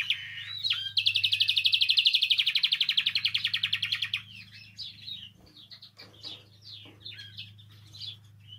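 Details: Singing canary, meant to stimulate canaries into song: a loud, rapid rattling trill held for about three seconds, then softer varied chirps and twittered notes, over a steady low electrical hum.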